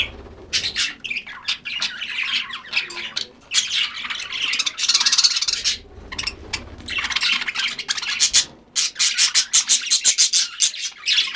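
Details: Pet parakeets being given a small treat keep up a busy, scratchy chatter of squawks and quick chirps in bursts, with brief pauses between runs.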